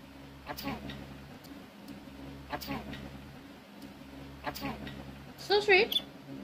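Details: A pet chattering lory indoors during tea says the Hindi phrase "accha hai" in a short, nasal, speech-like utterance whose pitch wavers near the end, after quiet clicks and faint room noise.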